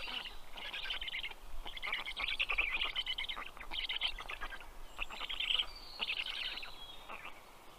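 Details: Black stork nest in Karula National Park, southern Estonia, 11 June 2023 at 8:09 pm, male feeding fish to the chicks. Separate bursts of raspy, pulsed calls about one second long, with a thin high whistle from another bird.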